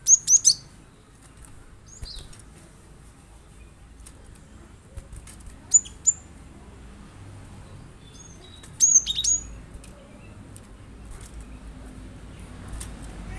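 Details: Cinereous tit, glatik batu, recorded to set off a caged bird's singing: bursts of shrill, high, whistled chirps, clustered at the start, near six seconds and again around nine seconds, over quiet background.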